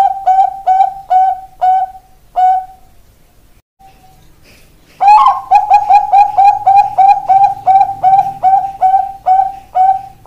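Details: Bangkok-type zebra dove (perkutut), ringed. Several spaced hollow coos fade into a short silence, then a loud, fast run of repeated ringing notes follows, keeping a brisk, slightly uneven rhythm.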